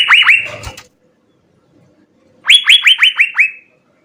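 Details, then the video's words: Asian fairy-bluebird, a lively singer recorded as a master for training songbirds: a brief cluster of looping whistles, over a second of silence, then six clear whistles sweeping upward and fading. "suara 4 CUCAK BIRU GACOR full isian SI BURUNG SURGA"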